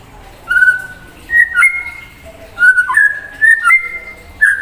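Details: Clear, drawn-out whistles from a white-rumped shama singing to provoke another bird, each note held steady, some stepping upward, delivered in short groups with brief silences between.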